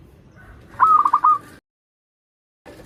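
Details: Local zebra dove, a lure for young learning singers, giving one short rolling phrase of quick pulsed coos. A brief break of silence follows, then low noise returns.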